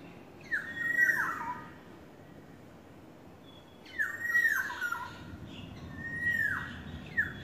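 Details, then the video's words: Courting yellowbird singing whistled phrases that hold steady and then drop steeply, one phrase early, a pause of over two seconds, then several phrases in quick succession. "Beautiful sounds of yellowbird courting"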